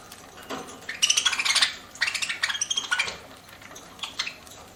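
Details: Pet budgerigar chirping while eating indoors: soft, scratchy chatter in short bursts around one and three seconds, separated by quieter gaps with faint clinks in the background.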